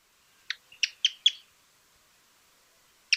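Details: Pearly-vented Tody-Tyrant from Argentina: a few short, sharp clicking notes in quick succession, then a pause and one more note; clean quiet background.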